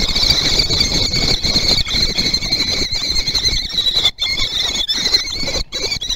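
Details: Common kestrel nestlings at Théding, 17 June 2020, racing to eat first: an unbroken chorus of high, trembling squeals, cut by a few short gaps, over low rustling and movement.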